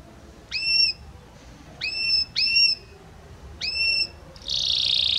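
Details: Belgian canary giving repeated clean whistled notes with sharp rising attacks, four in a loose series, ending in a louder buzzy sustained note.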